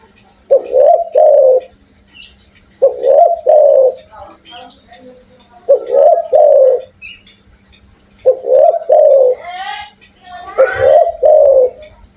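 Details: Spotted dove in Indonesia, an eager caller with a big voice, repeating five mellow two-part cooing phrases roughly every two and a half seconds; brief human voices break in near the end.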